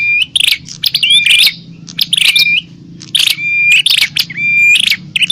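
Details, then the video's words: Bar-winged prinia fighting calls meant to draw in wild prinias: clusters of sharp scratchy chattering with a drawn-out level whistle, a brief pause mid-way, low background hum. "Suara burung prenjak pikat - prenjak tarung ribut ampuh memanggil prenjak liar"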